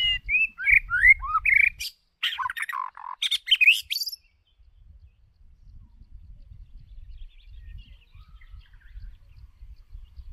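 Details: White-rumped shama lure bird singing for voice training: a rich two-second burst of fluting whistles, then a rapid jumble of buzzy, scratchy and chattering notes until about four seconds, followed by quiet with low rustling.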